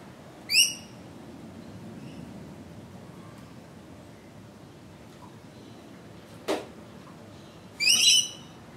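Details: Australian rainbow lorikeet giving two brief, harsh, shrill screeches about seven seconds apart, with a single sharp knock between them.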